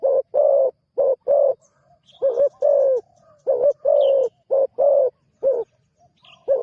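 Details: Spotted dove on its first outing as a newly trained decoy bird, cooing steadily in low hollow notes. Short and drawn-out coos alternate in repeated phrases across the recording, with faint high chirps in the background.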